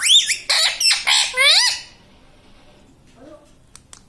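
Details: Talking pet parrot saying "mummy papa" in a fast, loud string of squawky, warbling syllables lasting under two seconds, followed by near silence and soft clicks.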